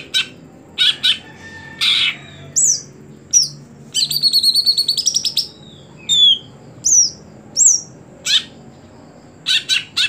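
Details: Caged greater green leafbird singing with harsh chirps, a rapid buzzy trill, and high sweeping whistles that slide downward, repeated irregularly.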